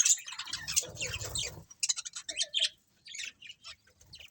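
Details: Colourful budgerigars chirp in a colony, with a rumbling low noise under the opening chatter, followed by separate short chirps and squeaks with small pauses between.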